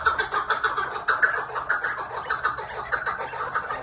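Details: Chukar partridge calling: a fast, uneven series of harsh clucking notes, roughly one hundred to the minute, overlapping one another, with no other clear sounds.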